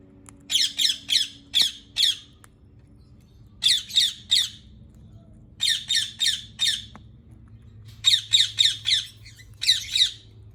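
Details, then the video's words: Harsh, scratchy squawks from a rose-ringed parakeet, delivered in repeated runs of three to five notes roughly every two seconds, against a soft low-pitched hum. "ببغاء الدرة Ringneck Parrot"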